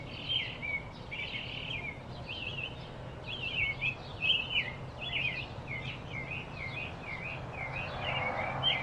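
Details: Field recording from Arizona of a blue-throated flycatcher giving a long run of quick, looping high whistles, some slurred downward, repeated across nine seconds with constant low background hum.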